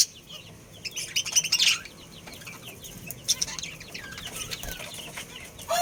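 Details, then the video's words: Chirping from a budgerigar breeding pair, quieter scratchy warbles with a louder squeaky burst around 1.5 seconds and another near 3.3 seconds, soft chatter in between. "Cute Budgies Chirping Sounds"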